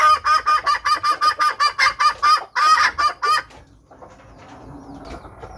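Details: Red junglefowl hen calling to draw in wild males for trapping; a fast series of raspy clucks, about three a second, stops abruptly after three seconds, leaving faint background sound.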